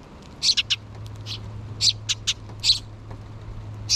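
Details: Sparrow chicks, two of them, begging the parents for food inside the nest in June 2023: clustered high chirps in groups of two or three, spaced over four seconds, with a low mechanical hum throughout.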